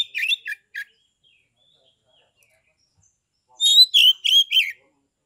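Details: Ngeplong song of a captive Oriental magpie-robin in Kebumen, Central Java, used as a lure to rouse rival magpie-robins to answer and fight. A few quick chattering notes, a long quiet gap, then four loud high whistled phrases in quick succession.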